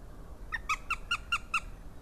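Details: Juvenile Northern goshawk calling, recorded by a goshawk webcam in Latvia on 20 March 2018; a quick run of six short, clear, slightly nasal notes, spaced about a fifth of a second apart, over faint low hum.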